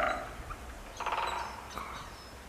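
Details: One woodpecker answering another with a drum roll late in March 2018, just before noon: a quick, resonant burst of rapid taps lasting under half a second, amid soft background noise and faint bird chirps.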